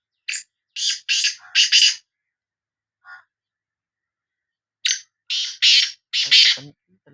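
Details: Sindhi kala teetar, the black francolin, giving its rasping call. A short note leads into a run of loud scratchy bursts. After a pause and one faint note, a second grating phrase of four or five bursts follows.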